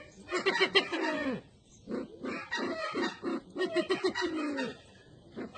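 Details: From Sumatra, a red-eyed bird utters groups of quick, descending grunting notes that fall away in pitch, in two main bursts with a quieter stretch between.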